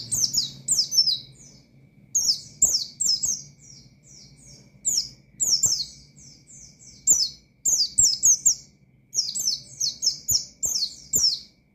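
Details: Energetic pleci song meant to challenge opponents and stir up raw birds: high, piercing descending chirps strung in quick clusters, repeated in phrases separated by short gaps, with a soft background drone.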